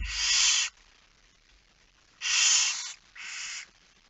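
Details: Barn owl at its nest during feeding at night, 10 September 2019, 22:45, giving three rasping hissing screeches, the first and second long, the third shorter, after a low thump at the start.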